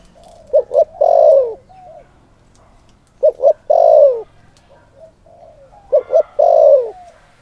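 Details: Decoy spotted dove calling to provoke wild males. Three deep cooing phrases about every 2.7 seconds, each with two short clipped notes and then a long, drawn-out coo that falls at its end. Faint soft notes between phrases.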